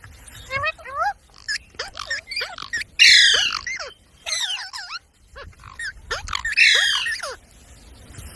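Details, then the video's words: Parrot mimicking human speech: squawky, word-like phrases with rapidly rising and falling pitch, delivered in short bursts separated by pauses, with louder harsher outbursts around the middle and near the end. "Talking parrot video| Parrot sounds videos Compilation | mitthu mitthu | parrot voice"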